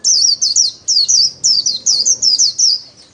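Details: Trained pet white-eye in 'líu' solo song. Continuous high, sweet, rapidly looping whistled notes, roughly four to five per second, fill the whole stretch.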